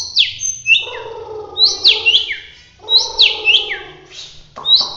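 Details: Vigorous roll tembak song of a Bahorok white-rumped shama from Medan: clusters of sharp, high whistles sweeping downward in quick bursts, repeated about every second, with buzzy lower undertones between.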